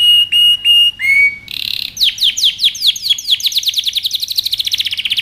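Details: Canary singing on a training recording for young birds: three steady whistles and a lower whistle, a buzzy burst, then falling chirps that speed up into a fast, high trill.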